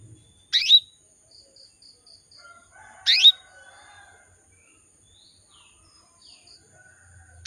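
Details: Female canary calling to draw males: loud high chirped calls about every two and a half seconds, with short quiet pipping notes and faint distant birds in the pauses.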